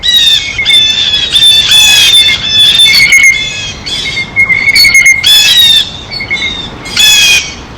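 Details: At a feeder, a blue jay utters a string of grating, buzzy squawks that run almost without a break, then slow to spaced bursts, with a faint steady high tone behind them.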